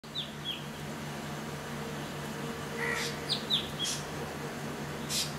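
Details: Chestnut-tailed starling at Goa University on 15 January 2016 giving short, high, down-slurred chirps in scattered clusters, with a few scratchy notes, over a steady low hum.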